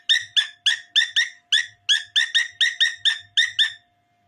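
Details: Cockatiel (Nymphicus hollandicus), song.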